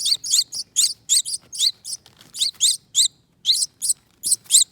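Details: Rescued finch nestlings, two survivors from a wreath nest at a front door, begging during feeding: clustered, piercing high chirps in quick pairs, a short gap, then more squeaky notes.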